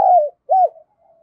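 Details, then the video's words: Decoy spotted dove, thổ sấm voice style, used to provoke other doves; two loud, smooth, slightly falling coo notes with a brief gap between them. "tieng cu gay kich boi nhanh noi"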